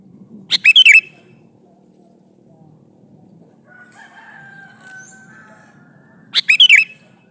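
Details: Sooty-headed bulbul male calling a female, giving a brisk chirpy phrase of several fluty notes, a quiet pause with a faint thin whistle in the background, then the same lively phrase again.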